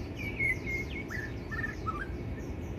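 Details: White-rumped shama song of drawn-out whistles followed by quick looping and dipping notes, set against constant low-pitched background noise.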